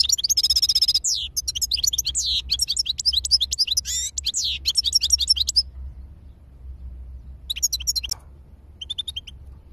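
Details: European goldfinch singing a fast, high, tinkling stream of twitters and liquid trills, with a brief buzzy note. It pauses and then resumes with short bursts of twittering over a steady low hum.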